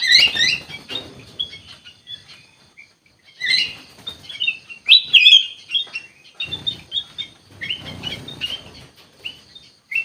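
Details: Kutilang emas bulbul singing loud, fluty notes and chattering phrases, some bursts strong and clustered, others softer and trailing, with light rustling and clicking noises in the background.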